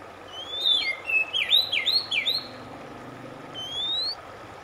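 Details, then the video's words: Oriental magpie-robin singing, played to calm a stressed bird and get it singing again: a quick series of looping whistled notes in the first two and a half seconds, then a single long rising whistle after a short gap. "RELAKSASI AMPUH KACER SETRES MACET TOTAL CEPAT BUNYI"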